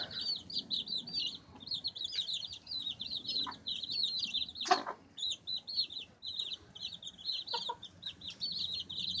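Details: Baby chicks pecking and scratching while chirping: a steady stream of high, thin peeping notes, many overlapping, with scattered soft tapping and scratching sounds and one sharp knock near the middle.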